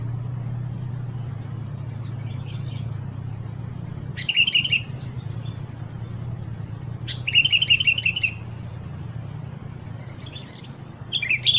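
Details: Sooty-headed bulbul singing spaced, lively warbled phrases, three times across the recording, over a low rumbling background and a steady high-pitched drone.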